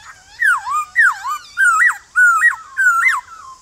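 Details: Morning song of a male white-cheeked laughingthrush calling to wild birds in forest-style voice; five loud, quick whistled notes, each swooping down then up, about a hundred per minute.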